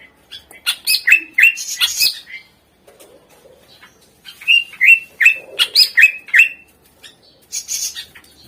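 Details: Greater green leafbird full song meant to coax lazy birds into singing: two bursts of rapid, sharp, downslurred chirps and harsh notes separated by a brief quiet pause.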